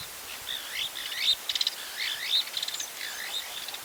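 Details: White-crowned starling, a bird commonly found near houses, giving clear warbling whistles that swoop up and down, with bursts of fast buzzy rattles between phrases, repeated in a loose rhythm.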